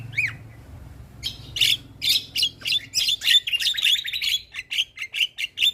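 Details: Javan myna in full, lively song used to coach other mynas: one opening rising whistle, a pause, then a rapid chattering run of harsh squawks and chirps repeated many times.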